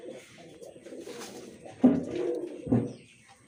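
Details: Pigeon giving low, throaty coos indoors, a steady rolling murmur broken by two sharper, louder accented notes toward the end.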